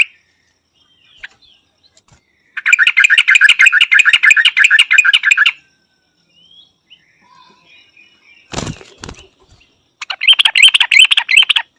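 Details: Yellow-vented Bulbul recorded in Thailand: a three-second run of rapid, dense chattering notes, a quiet stretch broken by a loud thump, then another short burst of fast sharp chatter.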